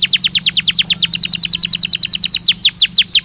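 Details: Belgian canary singing a rapid run of descending whistled notes, roughly seven per second, easing into slower, drawn-out sweeps, with a soft low hum underneath.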